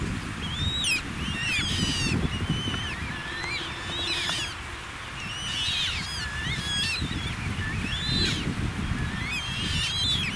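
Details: Young Eurasian coots being fed at the Altrhein, Eich, give thin, high, wavering peeps, several overlapping, about four a second, over a low rumble of wind and water.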